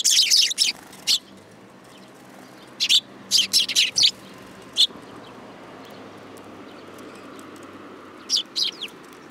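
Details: Young sparrows that climb onto a hand at a Tenmangu shrine, filmed in July 2022: bursts of sharp, high chirps at the start, near three seconds, around five seconds and again near eight seconds, with quiet low hum between.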